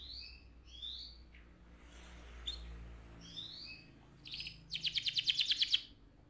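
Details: AF canary song heard at moderate volume: scattered high whistled slurs over faint background hum, closing with a short rapid rolling trill of pulsed notes.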